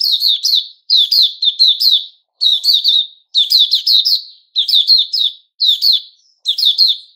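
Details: Sooty-headed bulbul, a male, 10 July 2021, producing a steady run of bright, bubbling chirp phrases, three or four notes each, with barely a pause between them.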